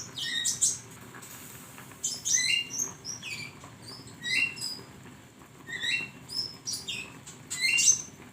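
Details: Flowerpecker song used as a training recording for cage songbirds: quick bursts of thin, high twittering notes, sharp upslurred chips and short trills come in clusters about every two seconds, with faint low hum beneath.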